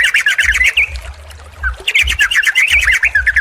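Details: Sooty-headed bulbul combination recording meant as therapy to get a silent, stressed bird singing: bubbly, buzzy chattering notes in two bursts, pausing near the middle, with soft low thumps underneath.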